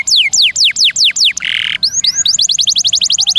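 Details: Canary master song for tutoring songbirds before contests, long rolls with varied bursts: five loud whistled notes sweeping steeply downward, a short buzzy rattle, then fast clipped notes repeated in a rapid even series.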